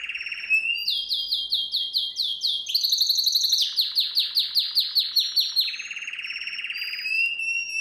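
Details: Singing canary, recorded for training other canaries. A rolling trill is followed by rapid descending sweeps, then a dense buzzy rattle and evenly repeated chopped notes, about two or three per second, ending in a whistled trill.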